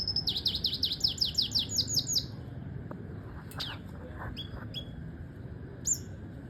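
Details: Tutor recording of a double dilute red siskin for training birds: about a dozen fast repeated high chirps in two seconds, then scattered single sharp notes over a faint low hum.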